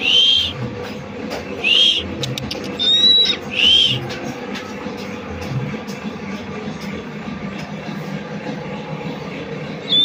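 Buffy fish owl giving short, high, thin whistled calls, rising then falling, four in quick succession and one more at the end, over a low steady hum.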